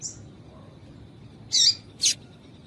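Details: Female yellow-bellied seedeater call for exciting males: a faint high note at the start, a long quiet gap, then two loud, buzzy chirps in quick succession.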